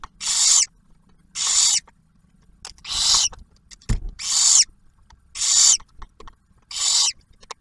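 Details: Nest camera of barn owls at Ottawa National Wildlife Refuge, Ohio: the male brings food and the female feeds the first hatchling. Six harsh, snoring hisses follow one another about every second, with one soft thump.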